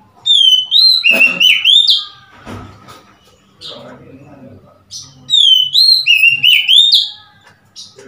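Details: Oriental magpie-robin on 3 March 2021 giving two loud phrases of sweet, sliding whistles about five seconds apart, with rustling and low-pitched background noise in the pause between them.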